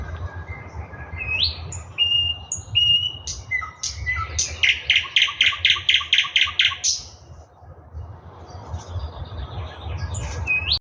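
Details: Singing thrush nightingale: scattered pure whistles and short upslurs, then a long rapid rattle of about a dozen hard, clacking notes. The song ends with more whistled notes over a steady low hum.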